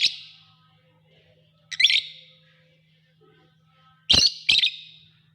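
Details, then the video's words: Lovebirds give shrill, harsh chirps in four quick bursts, two of them close together near the end, with a faint low hum underneath. "Amazing sound of love birds"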